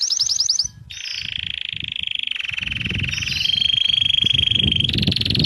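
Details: Canary recorded on 11 January 2024, singing long, sustained rolling trills that hold steady for several seconds and then shift to a higher, faster roll, over a low rumbling background.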